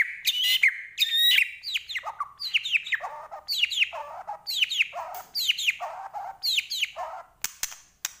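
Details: Energetic song of a Medan-type white-rumped shama, rich in isian fill-in material: two buzzy high notes, then a string of sharp falling whistles dropping to lower warbles, repeated in a steady rolling rhythm.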